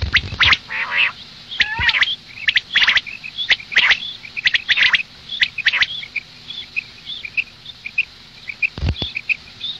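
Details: Female common quail (madi batair) calling, offered for the morning: short high chirps and sharp clicks repeated irregularly about once a second, with a few louder broadband snaps at the start and near the end.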